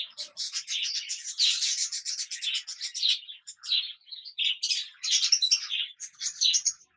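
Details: A yellow and white cockatiel preening its feathers in sunlight gives a steady run of scratchy, raspy chattering notes with brief squeaky chirps mixed in.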